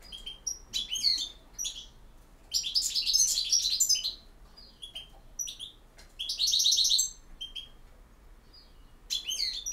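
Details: Goldfinch song in campero style: repeated phrases of quick, tinkling twitters, with two longer rich bursts of rolling trills and scattered sharp chips between them.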